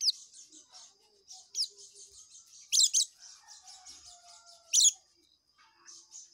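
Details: Oriental white-eye in ngekek song: a fast high buzzy trill runs almost continuously, punctuated by two loud clusters of sharp notes and a few down-slurred whistles.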